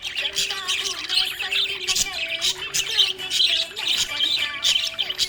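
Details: Happy budgerigar chirping: dense, continuous chatter of sharp high chirps and warbles, bright and rapid with no pauses, over low sustained tonal notes running underneath.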